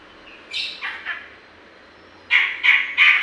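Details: Grey-cheeked bulbul in full song, used to stimulate other birds; a few short descending notes, a pause, then three loud rich chirps in fast succession.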